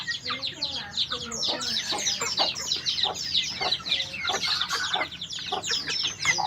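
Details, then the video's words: Continuous white-eye song of fast, high chirps and twitters, with a few lower warbled notes woven in. The phrases tumble on without breaks over a soft background hum. "Burung pleci ajaib"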